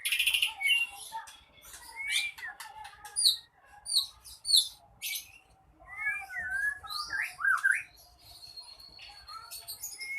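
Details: Ekor pendek contest bird singing in a rage to stir rival birds into combat. Dense varied phrases mix squeaky mewing notes, sharp chips, rattles and quick up-and-down whistles with short pauses between bursts.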